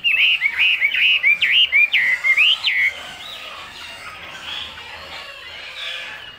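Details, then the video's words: Chinese hwamei with a fierce-looking face and bright legs and bill, singing in the high 'cao cầu' style: about three seconds of loud, clear whistled slurs and quick rising notes in rapid succession, then a softer, quieter warbling continuation over faint background hiss. "Họa Mi Hót Cao Cầu"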